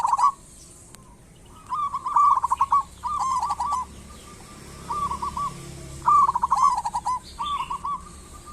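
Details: Local zebra dove lure song: staccato cooing bursts of quick beaded notes with a rolling ending, repeated roughly every two seconds, with softer distant coos between the louder phrases and a faint low hum.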